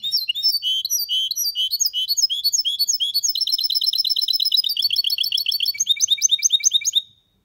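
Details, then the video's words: A champion goldfinch mule (2023) sings clean, continuous bright song: high, rapid twittering phrases, then a fast trilled run and a few sharp chirping notes, with nothing else heard. "Mixto de Jilguero campeón 2023 cantando Limpio / mule of goldfinch"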